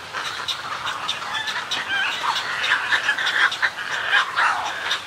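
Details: Snowy egrets at a colony giving greeting and colony calls up close: rough, gargled croaks and buzzy squawks running in quick uneven bursts, the calls growing louder toward the end.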